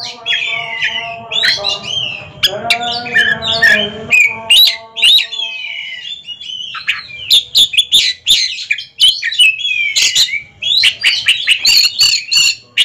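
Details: Oriental magpie-robins, caged ringed birds, singing against each other in a duel: long runs of high whistled and chattering phrases with sudden clicks, over a brief stretch of low tonal background sound early on.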